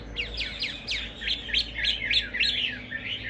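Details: Caged Chinese hwamei singing a string of short, bright whistled notes that rise and fall, about eight quick phrases in three seconds, given at a lively uneven pace.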